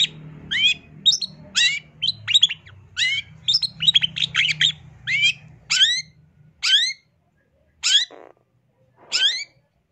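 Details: Long-tailed shrike, a full prolific song of quick chattering and whistled notes, then spaced, loud, downslurred calls every second or so near the end, a low hum underneath at first.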